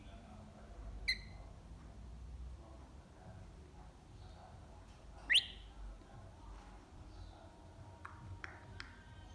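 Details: A rainbow lorikeet (Trichoglossus moluccanus) in the morning gives a few sparse, shrill notes: a short whistle, a loud sharp upswept squeak, then quick chips near the end, over a quiet background hum.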